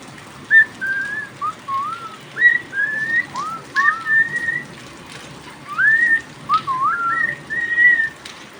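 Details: Pet cockatiel singing during rain: a run of clear whistled phrases, some rising, some wavering or sliding up and down, in short bursts about every half second to second, over steady hissing rain.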